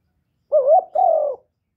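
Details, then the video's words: Young male spotted dove calling loudly: a single two-part coo, a wavering hooted note followed by a longer, steady, slightly falling one, against silence. "Tiếng chim cu đất gáy lớn tiếng, cu gáy thúc, cu gáy gọi, cu trống tơ gáy to"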